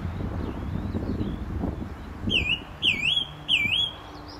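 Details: Song thrush singing close by from a telephone wire at a gravel pit near St Albans, England, in May 2012: one clear whistled phrase with a dipping shape, repeated three times in quick succession over low rumbling background noise.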